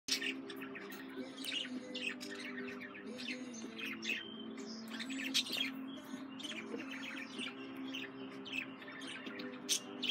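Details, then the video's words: Female budgerigar kept as a pet, chattering in rapid bursts of short, high chirps and scratchy warbled notes that vary in pitch, over a steady low droning hum throughout. "Female Budgie/Parakeet"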